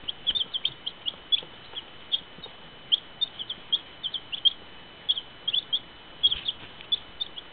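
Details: High, thin cheeping from a group of baby chicks, quick single and doubled peeps overlapping at an uneven pace, with a steady background hum throughout.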